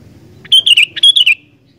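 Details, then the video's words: Sooty-headed bulbul singing loudly, to make wild bulbuls sing: a rapid bubbly phrase of clear whistled notes sliding up and down, delivered twice in under a second, with a faint low hum beneath. "Burung Kutilang Gacor Dooor, Cepat Bikin Kutilang Liar Langsung GACOR"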